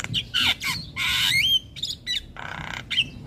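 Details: Lure and master song of a Javan myna meant for young birds: loud raspy squawks, a rising whistled slur, then a buzzy grating phrase and a final short whistle.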